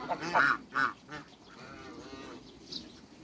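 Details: Farm-kept African geese among other waterbirds: three quick nasal honks in the first second, then fading murmurs and soft background calls.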